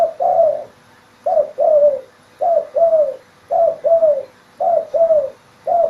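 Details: Spotted dove singing actively: mellow paired coos, each falling slightly at the end, repeated about once every 1.2 seconds. Five full phrases and the start of a sixth are heard over a quiet, still background.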